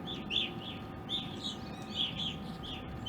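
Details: Evening grosbeaks wintering into spring (April 2021) at a backyard in Ohio, where uncommon, give short, clear, slightly burry chirps, several per second, overlapping as if from a small flock, over a steady low hum.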